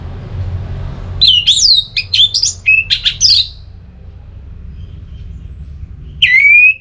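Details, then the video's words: Orange-headed thrush ngeplong song for stirring another bird into singing: a lively string of varied looping and falling whistles with sharp clicks between them, a quiet spell, then one long downslurred whistle. "ANIS MERAH LOYO Bakal SONTAK NYAUT GACOR dan EMOSI dengar Kicauan Ngeplong ini"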